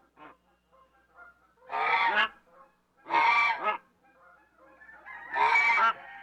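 An African goose gives three loud, harsh, nasal honks about a second and a half apart, with softer grunting notes between them.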